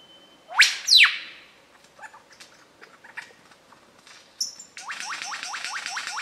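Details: A wild mature male lyrebird in Dorrigo National Park sings under dark rainforest canopy, showing part of his repertoire. Two loud, sweeping descending whistles open the clip. Faint scattered notes follow, then a rapid run of about seven repeated swooping notes.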